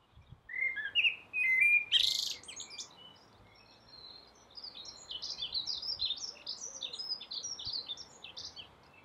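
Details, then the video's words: A common blackbird singing from a roof for about five minutes gives a mellow, fluty warble that breaks into a long run of high, scratchy twittering notes; the owner notes its song sometimes sounds like a mobile phone. "Blackbird singing"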